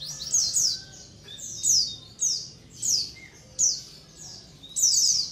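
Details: White-eye colony sound for luring other white-eyes. Bursts of high, falling double chirps come roughly every second, with soft brief whistles in between.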